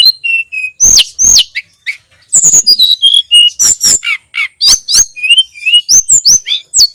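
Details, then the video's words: Sunda robin singing a tutor recording for training cage birds: rapid varied phrases of high clear whistles, some steady, some sharply falling, mixed with dry clicks and brief buzzy notes, barely pausing. "Masteran burung tledekan gunung || burung sulingan gunung"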